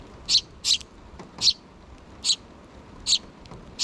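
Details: Sparrow chicks, two of them, begging parent birds for food before leaving the nest, with the mother present, 6 June 2023; loud scratchy high chirps arrive in uneven bursts, some doubled, spaced about half a second to a second apart.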